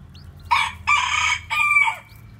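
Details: Bantam rooster crowing near newly hatched white, black-tailed bantam chicks: three loud, rough, harmonic bursts, the last one drawn out and falling, with a low background hum.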